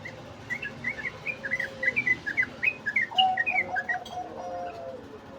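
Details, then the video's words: Sooty-headed bulbul singing in the rapid 'ngeriwik' style: quick chirpy notes, about three per second, dipping and rising, with a lower drawn-out tone partway through and a steady low background hum. "Trucuk ngeriwik // trucuk Ropel"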